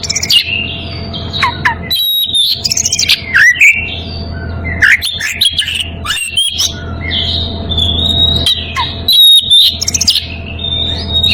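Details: Oriental magpie-robin in breeding condition calling a rival: loud varied whistled phrases, rising and falling slurs and sharp high notes in quick bursts with short pauses, over a steady low hum.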